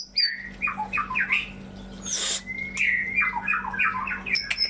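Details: White-rumped shama song meant to stimulate shamas that have gone silent: choppy falling notes, a brief harsh rushing noise, a long whistle, then a rapid series of descending slurs.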